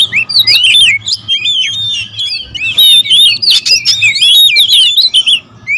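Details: Several agitated oriental magpie-robins (kacer), territorial birds, calling together: dense, overlapping bursts of varied whistled notes, swooping up and down, with sharp clicks mixed in, near-continuous through the clip over a faint low hum.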